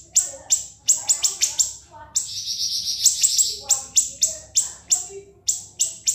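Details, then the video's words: Siri-siri singing continuously for cage-bird training: clusters of shrill high chips, a brief sustained rattling trill midway, then evenly spaced sharp notes resuming. "MASTERAN BURUNG SIRI-SIRI NGEBREN SUPER PEDAS TEMBAKAN TAJAM & SUPER PANJANG"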